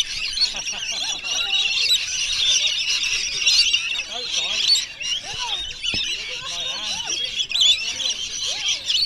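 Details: A crowd of wild rainbow lorikeets at Bungalow Bay on Magnetic Island, fed by visitors on 26 December 2013, keeps up a continuous piercing, squawking din of overlapping high screeches, with faint human talk mixed in.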